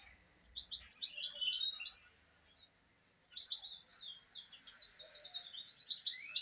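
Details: Mulet of the goldfinch singing two animated bursts of sharp, high twitters and tinkling trills, separated by a brief silent gap near the middle.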